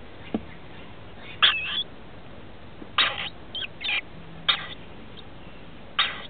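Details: Rainbow lorikeet chicks, 21 and 17 days old, in a nest inside a house roof as adults arrive to feed them; short harsh rasping bursts every second or so, with faint low hum beneath.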